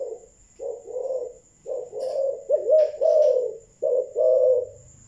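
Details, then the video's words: Thúc gù cooing from a Malaysian-type spotted dove: a rolling series of low, husky two-part coos, with brief faint chirps from another bird midway and a soft high hum. "Malaysia thúc gù"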